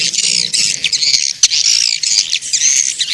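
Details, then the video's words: Swiftlets in a lure recording used to attract them to nesting houses; dense, high, chattering twitters and chirps overlap continuously, with brief clicks and a faint low hum underneath. "SUARA TARIK MANSYAH WALET"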